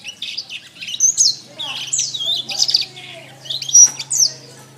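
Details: Canary song used as a training master recording for songbirds: fast twittering phrases of high whistles, slurs and rolling trills, bright and continuous, with a faint low hum underneath.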